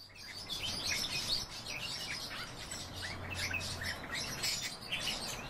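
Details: Breeding pair of pine grosbeaks giving a dense run of short chirped notes, high and bright, overlapping almost continuously through the recording, with a steady low hum underneath.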